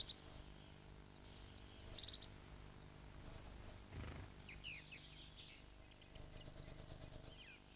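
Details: A crested tit in an old Scots pine forest in the Scottish Highlands, calling to establish its territory before nesting season: thin, very high notes, then a fast run of about eight short ticking notes like a purring trill.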